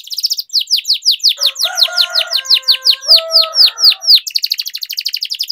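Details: Trained-style canary song, used as a tutor for young birds: loud rolling series of downward-slurred notes over softer lower tones, closing in a very fast high trill.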